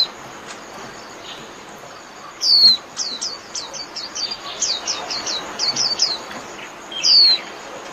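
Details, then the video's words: Japanese white-eye calling the flock: one loud high downslurred note, a softer run of rapid thin twittering notes, and another loud falling note near the end, over steady background hiss. "Chim Vành Khuyên (Chim Khuyên) hót gọi bầy"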